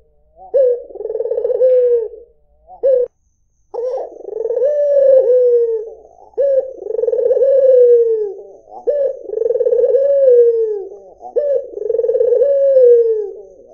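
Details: Melodious white dove cooing steadily: about five deep, rolling phrases, each with an abrupt rising onset and a long falling tail. A short gap breaks the series early on.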